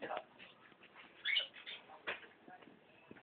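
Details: Hill myna that mimics human speech, copying the cries of street vendors who pass the house daily, such as selling tape and 'cari uang perak'; quiet, raspy, speech-like syllables with a louder burst near the middle.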